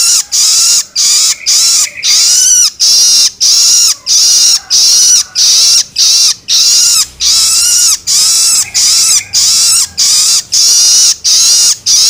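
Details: Juvenile long-tailed shrike begging sounds for stimulating adult birds: a long, even run of harsh rasping notes, about one every 0.6 seconds, with a faint low hum in the background midway.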